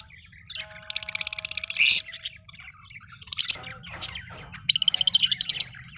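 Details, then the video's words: Lovebirds give shrill, high-pitched chirps in fast rattling bursts of about a second each, with shorter squeaky notes between and a faint low hum beneath. "Love birds sounds -love birds chirping sound"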